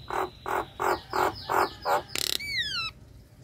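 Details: Female Nias hill myna in breeding condition calling the male: six nasal, croaking notes repeated about every third of a second, then a short rattle and a falling, ringing whistle.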